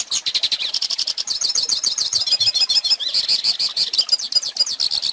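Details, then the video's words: Goldfinch singing as a lesson for young birds, with high, chattering twitters mixing slurred whistles and rattling trills, delivered without a break. "Pintassilgo Cantando Ensine Filhotes!!!"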